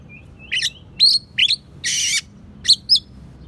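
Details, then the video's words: Oriental magpie-robin singing a medley packed with sparrow and prinia mimicry, kept as a training tutor for other songbirds: quick chirpy notes with thin whistled tails, then one broad buzzing rasp, then two more bright chirps. "Kacer Isian Gereja,prenjak pass untuk masteran"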